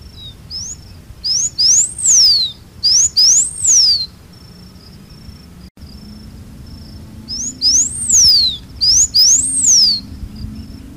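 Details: Blue finch (campainha-azul, Porphyrospiza caerulescens) singing: bursts of clear, high whistled notes that sweep up and then down in arching slurs. Short phrases come in two groups separated by a pause of about three seconds. A steady thin insect-like tone runs underneath.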